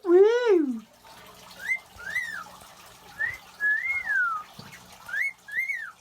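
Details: A male pet cockatiel practices its wolf whistle in short, clear, rising-and-falling whistled phrases; he normally wolf-whistles when a particular person walks in and does it here in celebration of her return.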